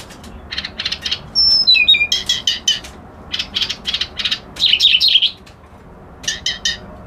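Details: Reed warbler song of rhythmic harsh chirps in rapid groups, broken by a descending series of thin whistles and a short tinkling burst, with brief pauses between phrases.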